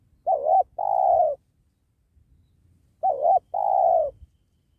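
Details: A spotted dove used to lure wild doves during trapping by a sacred tree gives two-part coos twice, about three seconds apart. Each has a wobbling opening note and a long, smooth, falling second note, with faint low rumble.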